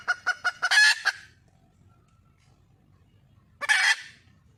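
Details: Wild red junglefowl hen calling for a male: four quick clucks run straight into a harsh, raspy squawk, then a pause and a second hoarse burst.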